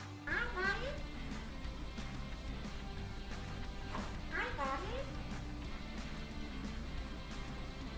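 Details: A talking eclectus parrot imitating human speech utters two short, voice-like phrases in a human-speech cadence, about four seconds apart, over a steady low music bed.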